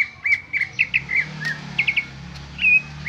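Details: Greater green leafbird giving its plain original song without added phrases: short, bright whistled notes with quick downward slurs, a triple burst near the middle, and a final rising-falling whistle over a low hum.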